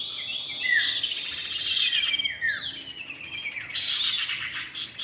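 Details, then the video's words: Common iora, male and female, luring sound: sharp high chirps and a long descending run of slurred notes, followed by a loud bright burst near the end. "pikat burung cipow jantan dan betina"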